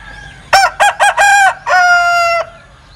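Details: Linh Kê rooster with a strange crow, close and clear: four quick rough syllables, then a long steady nasal note held nearly a second before stopping abruptly.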